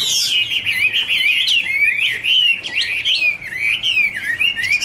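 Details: Garrulax canorus, the Chinese hwamei, pouring out a loud rapid warble of looping whistled phrases that rise and fall without pause.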